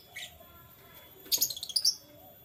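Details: Canaries in the morning: a quick cluster of bright, high, scratchy chirps tumbling together for about half a second after an early single note, over a quiet room-like background.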